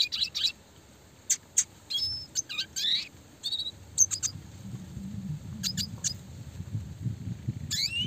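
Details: Classic red siskin, singing actively with a clear voice, delivering rapid high chattering notes and sweeping whistles in scattered bursts, with a steady low background rumble growing stronger toward the end.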